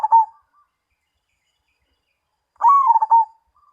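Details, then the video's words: Zebra dove known as perkutut, Mojopahit type: the tail of one coo phrase, a pause of about two seconds, then a full stuttering phrase of low, warm beats followed by a faint soft note. "Perkutut Mojopahit"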